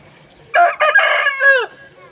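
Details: Aseel rooster crowing, played in slow motion: a hoarse, harmonic-rich call of about a second, in several linked syllables ending in a drawn-out falling note.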